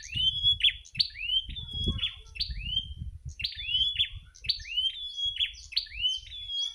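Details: Wild bar-winged prinia singing in the late afternoon in front of a house: a fast series of high, sharp upslurred notes, each swooping up and flattening, repeated roughly twice a second, with low rumbling background noise.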